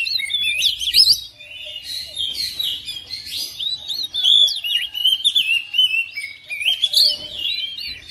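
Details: Domestic oriental magpie-robin answering another bird with lively song, a dense run of sliding whistles, chirps and rapid trills, nearly continuous for eight seconds, with a brief drop in volume partway through.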